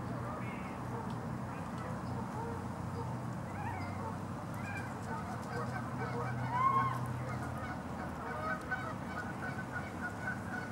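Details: Canada geese in Los Gatos, California, USA, on 16 March 2019, honk in scattered, overlapping calls, some rising and some falling, over a steady low rumble and background noise.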